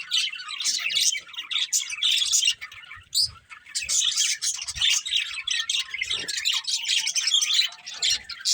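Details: Several pet budgies chirping together in a dense, continuous chatter of short scratchy notes and warbles, pauses of a fraction of a second between bursts, faint soft thumps underneath.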